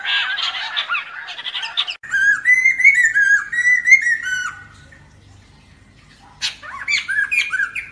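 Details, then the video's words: Lesser necklaced laughingthrush song used to lure birds into traps: a harsh chattering burst, then about two seconds of loud ringing whistles gliding up and down, a short silence, and more raspy chatter. "Khướu cổ khoang hót để bẫy"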